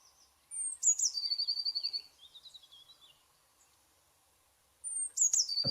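Eurasian Blue Tit song: a couple of thin, very high notes falling into a rapid, slightly lower trill, given twice, with a soft thump at the end.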